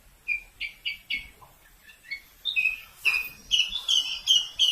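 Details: Javan bush lark from Kulon Progo giving quick chirped and whistled notes, first spaced phrases then a faster run of bright sliding whistles, about two or three notes a second.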